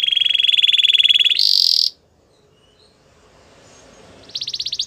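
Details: Belgian canary song, played for training a silent canary to sing: a fast, even rolling trill held for over a second, then a higher, denser buzzing tour, a short pause, and a new rapid high trill starting.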